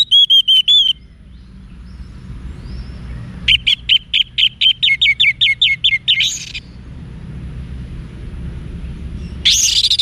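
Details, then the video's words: Orange-headed thrush singing a wiksar-style song used to train caged birds, Bali: a rising whistled phrase, then a fast run of about thirteen sharp, even chips ending in a buzzy flourish, later a harsh burst over a low hum. "ANIS MERAH Manapun Bakal Nyaut Berani Untuk Figther Saat Didengarkan Kicauan Wiksar Ini"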